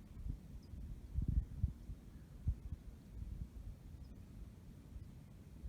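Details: Only low rumbling and irregular thumps are heard, likely wind or handling noise, with no animal calls.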